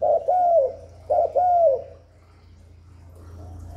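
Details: Spotted dove cooing to entice wild doves and excite newly kept birds: two mellow phrases, a clipped note then a long slurred falling coo, then silence with faint low hum.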